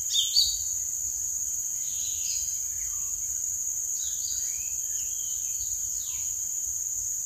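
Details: Small green leafbird singing for bird luring: scattered whistled notes, several sliding downward, spaced about a second apart, with a steady high-pitched buzzing drone running throughout.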